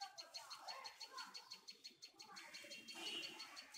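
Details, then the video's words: Tailorbird calling with a rapid series of sharp, high, even notes repeated about five times a second, with a murmur of lower sounds underneath. "Tailor bird"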